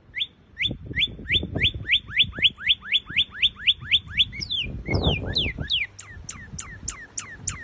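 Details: Northern cardinal of North America giving a fast run of clear rising whistled notes, about four per second, then switching to louder steeply falling slurred whistles; low background thumps.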